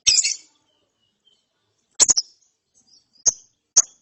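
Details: ['Young lovebird chick after therapy, ngeriwik chirping: one shrill, high, rasping chirp at the start, then a quiet gap and three more sharp high chirps near the end.']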